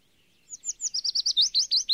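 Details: Yellow warbler singing a quick run of about a dozen sweet, high slurred notes that speed up and fall slightly, ending on a down-curved note, in an otherwise quiet setting.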